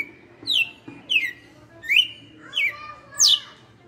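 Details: Red-cowled cardinal, a caged veteran kept for five years, singing in the açoite style: five clear whistled notes, each sliding down sharply from high to mid pitch, spaced roughly every 0.7 seconds, with a faint low hum beneath.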